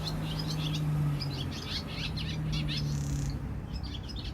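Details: Swallows in Jeongseon-eup, Gangwon-do, South Korea, chatter in quick, high twittering bursts, several notes a second, over a steady low hum.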